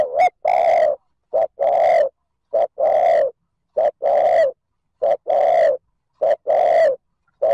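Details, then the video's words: Steady series of spotted dove coos in the 'thúc gù' luring style: short clipped notes alternating with longer mellow coos, about six paired phrases in quick, regular succession against a clean, quiet background. "TIẾNG CHIM CU GÁY THÚC GÙ KÍCH BỔI NHANH NỔI CỰC SUNG, MỒI NGHE LÀ GÁY"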